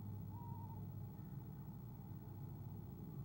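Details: Eastern screech owl on a nest camera, 17 February 2015, giving a soft trill as its mate arrives: one short, quavering, slightly rising then falling trill lasting about half a second over a steady low rumble.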